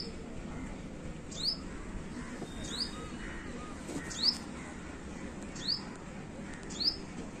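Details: Yellow bird chirping with quick, piercing, downward-slurred notes, five spaced roughly a second or more apart, against steady low background rumble and hiss.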